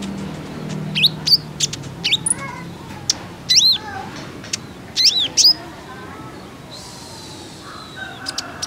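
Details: Female kolibri ninja sunbird giving looping, arched high chirps in pairs and triplets, meant to coax males into song, ending in a soft hiss.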